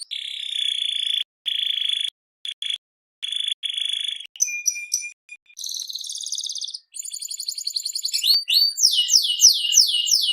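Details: Canary of the FI series singing strongly: a long steady whistled tone with sharp breaks, then buzzy rattling trills and a run of rapid upswept chirps, all high-pitched and clean.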